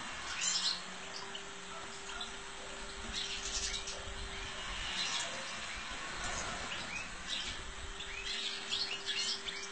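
European goldfinch twittering in quick bursts of high, bright chirps and trills, with a steady low electrical hum running underneath.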